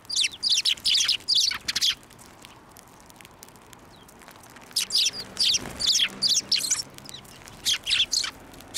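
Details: Sparrows flying onto an outstretched hand for food at a Tenmangu shrine on 11 March 2024: rapid bursts of high, sharp chirps, a pause of about three seconds, then another lively chirping burst.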